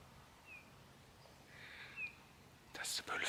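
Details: Eurasian bullfinch in treetops of a snowy local forest on a clear late-November morning gives two soft, short piping whistles about a second and a half apart, very close, followed by a man speaking nearby.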